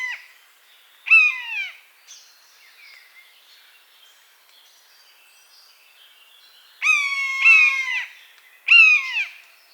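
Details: Wild buzzard in its natural habitat repeating harsh, descending mewing cries. A single cry is followed after a long gap by a quick pair, then another a second later, each under a second long. Soft small-bird chirps sound in between.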